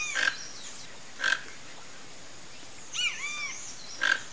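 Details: A flock of toco toucans gives three gruff, rasping croaks about a second apart, with a brief looping whistle from another bird between them.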